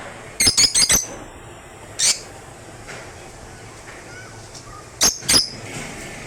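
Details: African lovebirds giving sharp, harsh, shrill squawks in quick clusters of three or four, then a single squawk, and another pair after a pause, with faint softer chirps and background hiss between.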